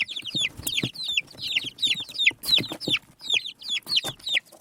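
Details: Desi hen chicks peep busily as they search the earth, a dense run of shrill falling notes, several per second, with light tapping and scratching sounds underneath.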